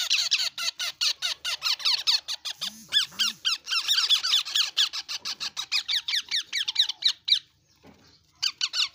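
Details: A yellow rose-ringed (ringneck) parakeet chick gives rapid, harsh, rasping squeaks in fast repeated bursts for about seven seconds, briefly pauses, then resumes; a couple of low squeaky sounds underneath.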